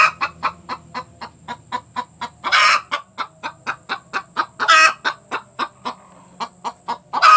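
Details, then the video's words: Hen cackling after laying an egg: a steady series of short clucks, about three per second, broken by loud harsh drawn-out squawks. "Suara ayam betina selesai bertelur"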